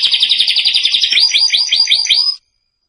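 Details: Domestic canary song meant for tutoring young birds: a dense, fast chattering trill gives way to about six slower, separate swooping notes that rise and fall, ending abruptly and followed by silence.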